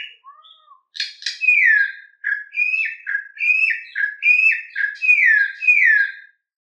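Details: A Campo Troupial sings its wild-type ("mateiro") song: rich, fluty whistled phrases, each a slurred descending note, repeated about every second, with no other sounds.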